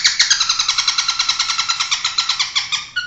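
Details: Long-tailed shrike, a national champion competition bird, giving a fast harsh rattling series of about thirty evenly spaced buzzy notes, each a broad noisy burst with a descending stroke, steady throughout.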